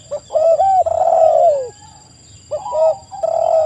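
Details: Spotted dove cooing with a quick rising note followed by a long, drawn-out coo that sags downward, then a pause before another rising phrase begins. Low hum and a thin steady high tone sit underneath.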